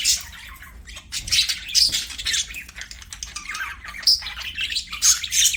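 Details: Several budgerigars singing during play: clustered harsh chirps and sharp squeaky notes, with short pauses between the louder bursts.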